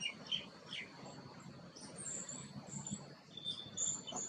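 Green bee-eater giving short, high chirps scattered over a few seconds, set against a steady thin whine and a low background rumble.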